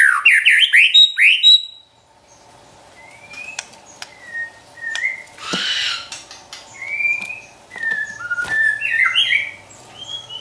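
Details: White-rumped shama song kept as a training recording for pet birds, opening with a loud burst of rapid rising notes, then a quieter stretch of separate whistled slurs and short clicks over a steady low hum.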